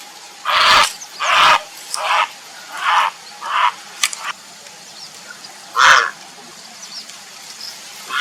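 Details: Grey heron calling for a mate, giving a run of hoarse, croaking squawks in quick irregular succession, loud at first and then softer, with one final louder croak after a pause.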